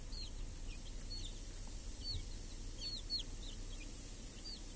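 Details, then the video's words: Village chicks feeding under a protective cage with hens on a clear summer day; scattered high, slurred peeps in small bursts of two or three, over a soft low background rumble. "Chickens and hen in the village | Sounds with chicks on a clear summer day"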